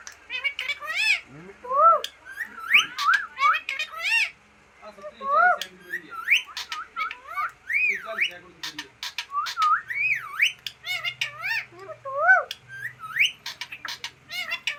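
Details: Green parrot known for talking, producing a long run of varied chattering whistles and squawks, many swooping up and down, delivered in quick uneven bursts with brief pauses; faint low hum in the background.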